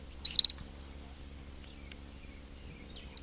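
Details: Close recording from a king cormorant colony with chick whistles and adult grunts: one loud burst of quick, high trilled whistles at the start, then quiet with faint calls and a last short note.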